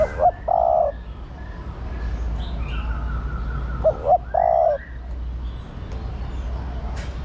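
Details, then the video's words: Female spotted dove calling to a male: two soft phrases about four seconds apart. Each is a quick rising double note and then a drawn-out, even coo, with a low hum and faint distant chirping behind. "Cu gáy mái thúc trống + gọi trống cực nhay"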